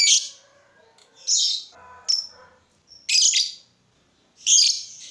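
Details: Lovebird sound meant to provoke other lovebirds to sing: four loud, harsh, high squawking bursts spaced about one and a half seconds apart, with a short squeak and faint twitters between them.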